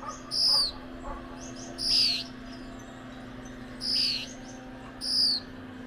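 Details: Gouldian finch pair heard giving four bright, high-pitched downward-sliding notes at uneven intervals of one to two seconds, separated by soft faint twitters, against a constant low background drone.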